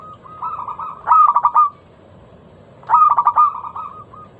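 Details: Loud, clear lure song of a local perkutut (zebra dove), meant to prompt other doves to sing: two matching phrases about two seconds apart, each a soft coo, a stuttered burst of notes and a rolling purr.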